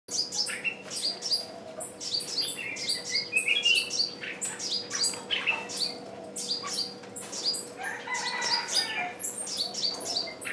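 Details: Caged decoy bird calling repeatedly to lure wild birds, which still do not come in; dense, overlapping bursts of high, sharp chirps and downslurred whistles run almost without pause, with a faint steady hum beneath.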